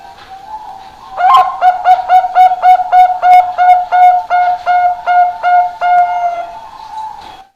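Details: Bangkok-type zebra dove, a one-year-old cage bird raised for singing contests; a mellow low whistled coo repeated as a rapid even series of about twenty pulsed notes, steady in pitch, softer lead-in and tail.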